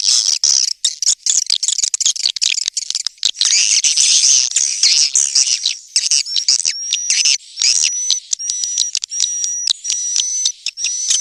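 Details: Swiftlet lure call in the 'tombak raja' style, played by swiftlet farmers to attract birds: fast high twittering, then thin piping whistles repeated about every half second among scattered chirps.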